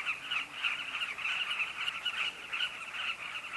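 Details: Breeding colony of carmine bee-eaters at a safari camp. Many birds call at once, building a steady wash of rolling, throaty notes with brighter chirps poking out every fraction of a second.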